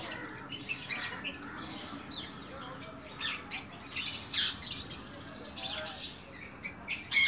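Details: Sun conure chicks during hand-feeding give harsh, raspy squawks in short irregular bursts.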